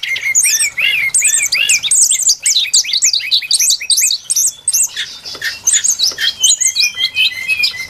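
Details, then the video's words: Lure recording of a brown-chested jungle flycatcher: lively, chattering song of short, arched whistles, with lower notes repeated under higher, twisting ones, delivered in rapid clusters. "Suara pikat burung sikatan SRDC Sikatan rimba dada coklat"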